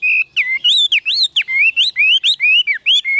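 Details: Captive Chinese hwamei delivering loud, rich whistled song: varied slurred phrases, rising and falling notes strung together in quick succession with short pauses, clean and close with a quiet background.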